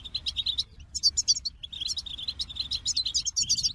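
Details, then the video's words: Goldfinch song made of quick, evenly spaced chirps, broken by higher tinkling flourishes. The notes come in a steady, bouncing rhythm. "The Captivating Call of Goldfinches"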